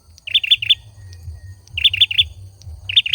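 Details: High, clipped chirps from a male olive-backed sunbird come in quick triplets with short pauses between groups, while low rumbling thumps continue beneath the song.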